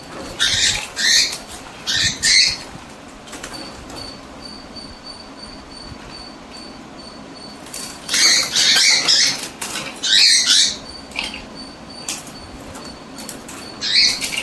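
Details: Two female pet cockatiel sisters squabble one morning, one angered, with no injuries; they trade harsh, hissing screeches in short bursts.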